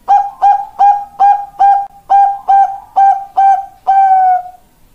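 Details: Bangkok-type zebra dove, a female calling a male, used as a lure and master recording: nine short, evenly spaced mellow coos, each with a brief rising start, closing on one longer drawn-out coo.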